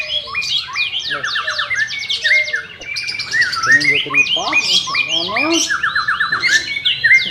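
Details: White-rumped shama song meant to coax a reluctant bird into singing: fast repeated high sweeping notes in overlapping layers, mixed with short whistles and chattering bursts throughout.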